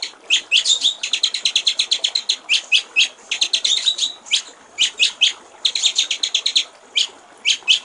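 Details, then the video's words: White-rumped shama, a master recording for training songbirds, singing the clear 'gericik air' (water-trickle) style: uneven series of fast, high chipping notes mixed with isolated sharp notes and brief gaps. "masteran murai batu/ suara jernih gericik air"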